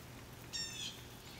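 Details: Blue jay giving a single short harsh call, about a third of a second long, with stacked bright harmonics, over a faint steady low hum.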